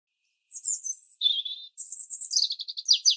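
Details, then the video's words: A robin singing in the early morning gives a high, thin phrase of clear whistled notes, dropping briefly lower, then rising again into quick sparkling trills, with no other sounds. "Robin Bird Singing Early Morning"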